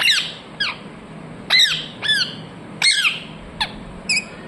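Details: Pet parrot, said to be talking, gives seven loud harsh squawks with downward-sweeping harmonics, spaced irregularly through the clip, in a quiet room.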